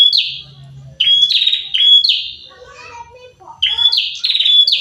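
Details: A pair of prinias calling in full song, with repeated raspy, down-slurred buzzes in quick runs, plus faint chattering in between and a low background hum.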